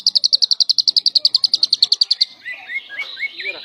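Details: Lovebird singing in the semi-konslet style, used as a tutor recording for other lovebirds: a fast, even buzzy trill of about twenty high pulses for two seconds, then a few short rising squeaky chirps.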